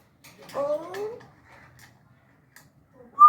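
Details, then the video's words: African grey parrot, a talking bird that speaks Urdu and Hindi, gives a short run of parallel rising whistled tones, then near silence with faint room noise and a sharp loud note at the very end. "talking in urdu and hindi"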